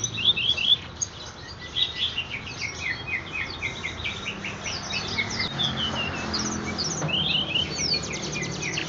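Horsfield's bush lark sings a fast, unbroken stream of high, varied chirps, slurred whistles and sweeping notes, bright and busy throughout, over faint background hiss.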